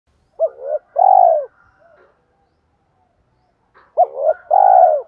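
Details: Spotted dove used as a decoy to lure wild doves, giving two three-part coos: a short rising note, a second note, then a long descending coo, with a gap of about three seconds between phrases.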